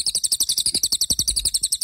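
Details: A lesser racket-tailed drongo (Dicrurus remifer) sings a shrill, rapid run of high chirps, about ten notes a second, over soft low thumping.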